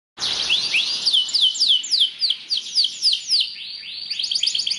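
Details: Belgian canary singing a training song meant to stimulate other canaries to sing: rapid, repeated, downslurred whistled notes run into each other, broken into shifting rolls and trills at a fast, even pace. There is no other noise.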